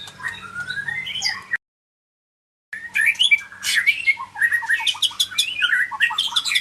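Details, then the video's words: Medan white-rumped shama singing a rich, varied song of rapid twitters, whistles and buzzy notes, interrupted by a short silent break, with a faint low hum underneath. "kicau murai medan"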